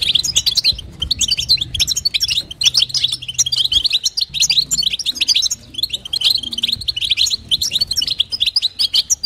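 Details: Female European goldfinch calling to arouse the male, styles known as batbata and sastasa: steady, rapid, high-pitched twittering of clipped chirps and tinkling trills throughout.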